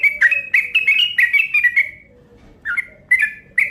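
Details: Lure call of a yellow-vented bulbul: a fast run of bright, gurgling chirps that breaks off, followed by a pause and a few separate bubbly notes, with a faint low drone.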